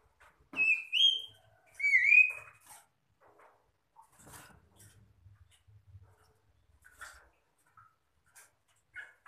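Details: Answering song of magpie-robins meant to provoke other birds into singing: two strong rising whistled notes open the sequence, followed by faint scattered chips and soft low rustling.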